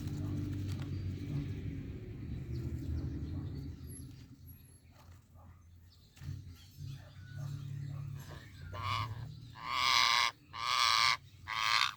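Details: Ringneck parrot making different sounds: a steady low rumbling background for most of the recording, then three loud, harsh, grating screeches in quick succession near the end, each about half a second long.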